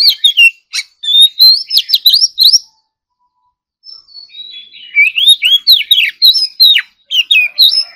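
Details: Morning practice song of an Oriental magpie-robin in contest style: two bursts of rich whistled phrases with rapid trills and slurs, separated by a pause with a few soft notes.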